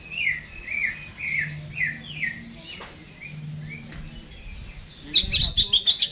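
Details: Caged greater green leafbird before being hung up: slow, swooping slurred whistles at spaced intervals, ending in a quick burst of high, sharp chirps.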